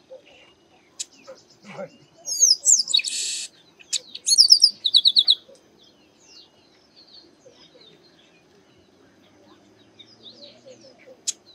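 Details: Chestnut-capped blackbird, locally called Garibaldi or Baia de Chiqueiro, a bird that sings a great deal: sharp high whistled slurs, then a dense buzzy burst and a quick run of repeated clipped notes, followed by long quiet stretches with faint chirps.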